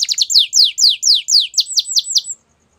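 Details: Morning canary song: a quick run of about a dozen loud, high, sharply descending chirps, slowing slightly toward the end, then silence.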